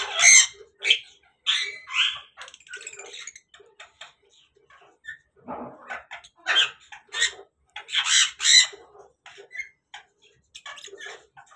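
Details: African grey parrots at a breeding setup, described as a mating call: harsh squawks mixed with short whistles and chattering notes in irregular bursts, some loud and raspy, others thin and high.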